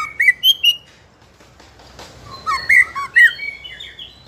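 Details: Spotted juvenile White-rumped shama, fighter type, singing continuously to provoke other young shamas into song; bright whistled notes jumping between pitches, a short pause with a soft click, then a varied run of slurred whistles.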